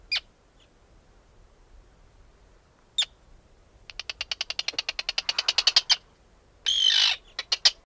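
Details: Arctic tern calls: a few isolated sharp notes, then a quickening chatter of short clicks building in volume, followed by a harsh grating call and more sharp notes.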